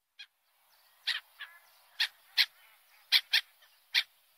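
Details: Seagulls giving short, sharp, evenly spaced yelping calls, about eight brief bursts in four seconds against a quiet background.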